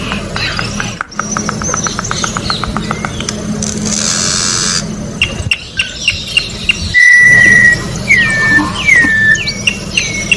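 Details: Wild orange-backed troupial song: after a stretch of rapid ticking pulses and a noisy hiss, clear whistled notes arrive, one long steady tone followed by several falling slurs.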